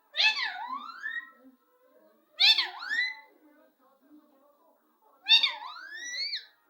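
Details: Very talkative pet parrot producing three raspy, word-like calls with downward then upward pitch sweeps, spaced roughly two and a half seconds apart, in a quiet room.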